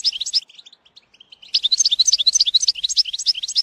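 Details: European goldfinch song used for training a young bird: a brief burst of high twittering, a sparse run of soft chirps, then about two seconds of dense, fast, buzzy, jingling trills with no other sounds.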